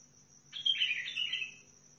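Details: Bulbul called Sihani, from Al-Faw near Basra, delivers one liquid, tumbling whistled phrase lasting about a second that fades downward at its close, over a steady faint hum.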